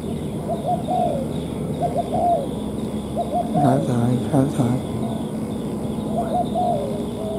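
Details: A wild Spotted Dove comes down on a sunny day to challenge a caged decoy set on the ground in a trap; the birdcatcher says it is escorting rather than cooing. It gives low, soft coos in short repeated phrases while a man speaks quietly over a steady hum.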